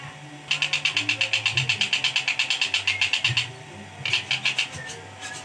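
A long-tailed shrike pours out harsh, rasping notes at about eight per second in a three-second burst, then starts again, over a low steady hum.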